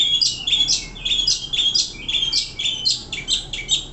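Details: Long-tailed Shrike (pentet), a caged contest bird, delivering a busy stream of harsh, high chattering notes and squeaky chirps, steady and continuous.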